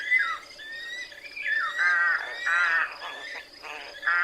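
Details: Rook, a wild crow-family bird of woods and open fields: a string of harsh, hoarse caws, some drawn out and some clipped, with thinner higher calls running above them.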